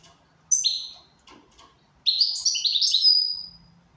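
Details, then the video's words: Goldfinch in good condition: one bright, buzzy high note, a pause, then a rapid tumbling phrase of twittering, jangling notes lasting about a second and a half, ending on a thin high whistle. "Switty goldfinch in good condition."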